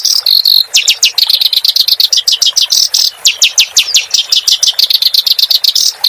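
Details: Rhythmic song of a clamorous reed warbler for training cage birds: rapid sweeping high notes and buzzy chirps in an unbroken, energetic stream.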